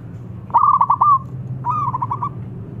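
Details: A local zebra dove with a big voice, used as a lure to provoke a rival into answering, gives two rolling cooing phrases. Each is a quick trill of soft, stuttering notes, against a low steady background hum.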